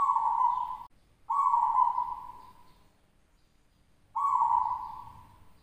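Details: Competition-winning local zebra dove from West Java, singing at a contest in Java: three long, steady, hollow coos, the first two separated by a short gap and the last after a longer pause, each fading away gently.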